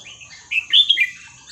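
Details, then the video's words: Red-whiskered bulbul singing the หัวครกเขย่าขวด song style, used as a lesson for young birds: one short, loud, sweet warbled phrase of three or four slurred notes over a faint steady high whine. "เสียงนกกรงหัวจุกเพลงหัวครกเขย่าขวด เปิดสอนลูกนก"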